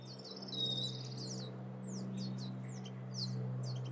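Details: Wild turkey chicks in the Sierra foothills, California: a quick trilled series, then scattered high falling peeps from several birds, with a steady low hum.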